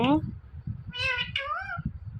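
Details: Pet Indian ringneck parrot talking, a mimicked "meow" and "Mithu": a short squeak, then two nasal syllables, the second bending upward, against steady low murmuring background noise.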